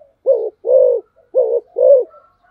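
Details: Spotted dove in 'tốc độ' speed-cooing style, four clear, low, mellow coos grouped in two pairs, the second note of each pair longer and fuller, on an otherwise quiet background.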